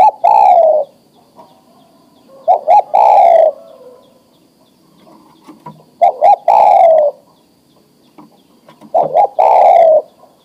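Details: Breeding-ready male spotted dove calling to a female for mating, repeating four low cooing phrases roughly every three seconds, each a brief double note followed by a drawn-out, gently descending coo.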